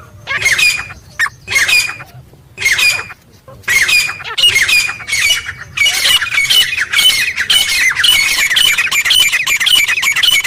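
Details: Real wild teetar, the grey francolin, giving loud calls in jungle; separate screechy bursts at first, then building into a fast, nearly continuous run of harsh, ringing notes.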